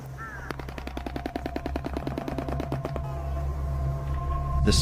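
A shoebill clatters its bill in a fast, dry, machine-gun burst of about twenty-five knocks over two and a half seconds. A narrator's voice and a low musical drone are also heard.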